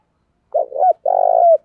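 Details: Decoy spotted dove cooing to prompt wild doves to call: a short low purring note, then a longer rolling coo that drops at the end. The sound is clean with no other noise.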